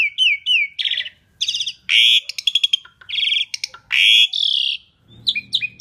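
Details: Asian pied starling in loud, lure-style song, with short whistled notes, broad harsh buzzes and crackling rattles alternating in a lively, irregular flow.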